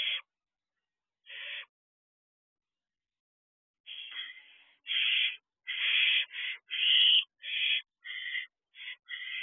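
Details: Barn owl owlet at a night nest box, 3 June 2023, just after midnight; scattered harsh hisses at first, then a rapid run of rasping screeches about one per second, some broken and stuttering.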